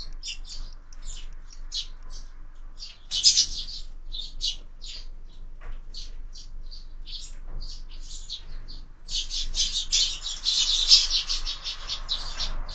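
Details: Sparrows squabbling and fighting at a window-mounted feeder during year-round bird feeding; dense bursts of short, sharp chirps and chatters, with louder excited flurries near the start and in the final seconds.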